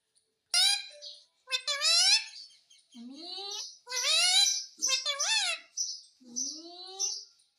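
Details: Indian ringneck parakeet kept indoors, said to talk in Hindi and say "mummy" and "mitthu"; a run of speech-like, high, harmonic syllables with rising and falling inflections in several bursts over seven seconds.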